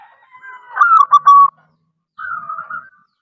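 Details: Local wild zebra dove, a frequent caller, gives a rolling cooing phrase of stuttered notes that ends in a sustained tone. A softer, drawn-out coo follows after a short pause.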